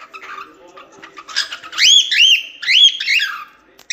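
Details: Cockatiel song: soft chirps lead into loud, rising and falling whistled phrases in two clear bursts, then a short burst of noise at the end.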